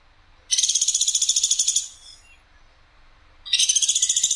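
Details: Tutor recording of the platuk sampit woodpecker, clear and sharply firing: one grating high rattle of rapid pulses lasting about 1.3 seconds, a quiet gap of over a second, then another rattle beginning.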